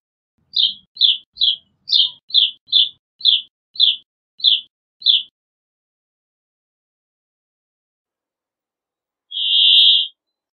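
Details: Brambling voice: a quick series of about ten short, high chirps at a brisk pace, then a pause and one drawn-out buzzy wheeze.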